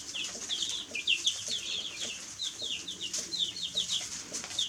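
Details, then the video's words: Baby chicks chirping: quick, high, downward-slurred peeps repeated many times in irregular bursts, several birds overlapping, over a steady background hiss. "Baby Chicks Chirping Sounds"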